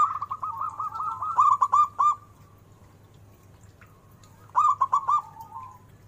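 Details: Actively singing local zebra dove with a big voice and melodic turns: a long run of fast stuttering coos that ends in a drawn-out note, then a shorter second phrase after a pause.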